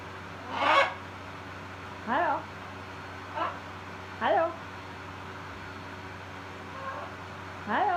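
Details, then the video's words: A pet macaw speaking words during an evening preening session with another macaw: about six short, rising, voice-like utterances, each roughly a third of a second, spaced one to two seconds apart, over a quiet steady room hum. "Macaw Parrot Preen and Talking"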